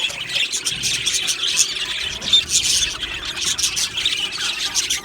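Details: Australian budgies in an aviary colony, a steady wash of overlapping high chirps, squeaks and squeals from many birds at once.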